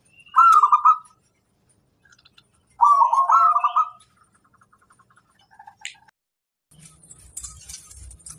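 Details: Local wild-type zebra dove, recorded as a master song for training other birds: two loud, rolling, trilled coo phrases, the second longer, followed by quieter soft notes, a short rasp and faint rustling.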